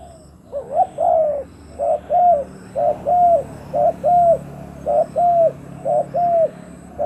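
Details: Spotted dove kept as a decoy to lure wild doves, cooing steadily in paired notes, a short note then a longer arched coo, repeated about once a second for seven seconds against faint background hum.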